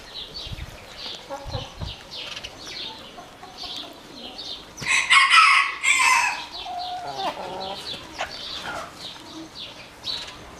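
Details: Black Orpington chickens giving a steady stream of high, short, falling peeps, broken midway by two loud, rough, noisy bursts, with lower clucking notes after them before the peeping resumes.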